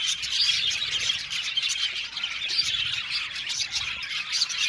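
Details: Flock of budgies in an aviary chattering together, continuous shrill chirps, squawks and warbling twitters rising and falling in loudness.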